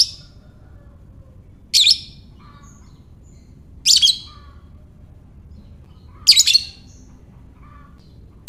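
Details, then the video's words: Lovebird in ngekek calling, used to lure other lovebirds to respond: shrill, scratchy chirps repeated about every two seconds, some doubled, with faint lower whistled notes trailing after several calls. "Lovebird Ngekek"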